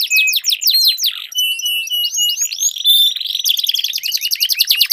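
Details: Canaries duelling in song to stir silent canaries into full song: fast trills, clear sustained whistles and rising slurs, ending in a rapid rattling roll.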